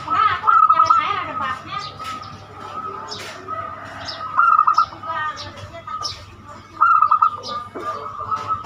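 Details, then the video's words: Zebra dove (perkutut) singing the banyumili song style, used to lure other birds into singing. Three bursts of rapid staccato cooing are spaced a few seconds apart. Scattered chirps and soft background sounds fill the gaps. "Perkutut banyumili suara unik cocok untuk pancingan"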